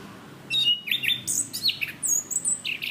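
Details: Orange-banded thrush, a cage songbird, in a training recording: after a brief pause, a fast run of whistled and buzzy slurred notes, some very high, in quick succession.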